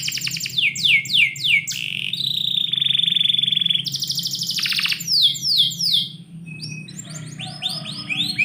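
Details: Canary in a house at dawn-time morning: quick falling chirps, a long level high trill, a coarse rattle, then more downward swoops and softer scattered notes near the end, over a faint low hum.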